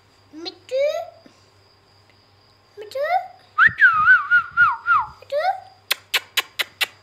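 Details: Ringneck parrot talking indoors: rising whistled slurs, a wavering whistled trill of quick notes, then a rapid series of sharp clicks near the end.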